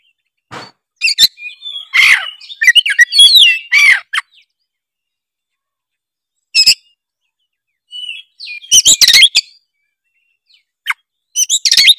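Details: Energetic Oriental magpie-robin song used to set others singing: a dense opening run of mixed whistles and scratchy notes, a long silence, then scattered single notes and loud chattering bursts.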